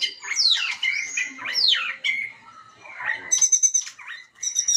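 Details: White-rumped shama singing to provoke other birds into song: sweeping downslurred whistles and rich warbled phrases, then a stuttering high buzzy trill and a final bright note.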